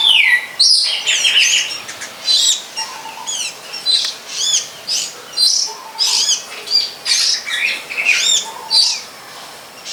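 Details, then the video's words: Long-tailed shrike singing out in nature, repeating a bright arched phrase of high squeaky notes roughly every second, some phrases ending in a low soft note, steady rhythm over quiet background hiss. "Pesona Burung Cendet di alam"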